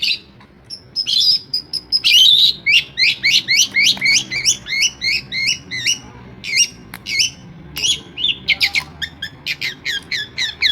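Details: Long-tailed shrike, a Madura cendet that copies sparrows, prinias and other birds, pouring out a rapid run of squeaky, buzzy twittering notes, several per second, with brief pauses.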